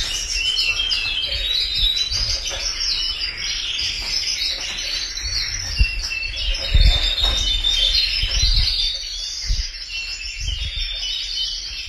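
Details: Singing canaries deliver long, rapid rolling trills mixed with sharp chirps and high whistled notes, running continuously, over scattered low knocks and rumbles.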